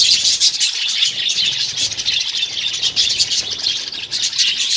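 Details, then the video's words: Many budgerigars living together in a colony rather than cages keep up an unbroken wall of high, buzzy twittering and warbled chirps throughout. "Budgies Parrots colony"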